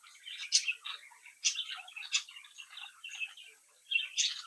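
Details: Budgerigar chicks of a captive brood chattering happily; short burst of squeaky, buzzy warbling and chirps with sharp clicks, loudest near the start and end.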